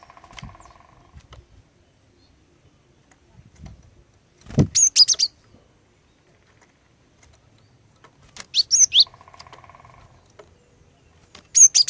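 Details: Female cinereous tit calling to lure males into singing: two bursts of three to four high, sharp, chirping notes several seconds apart, with a steady low pulsed hum in the pauses.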